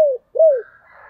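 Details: Spotted dove lure call for wild doves, two falling coos in about a second, followed by a faint steady tone.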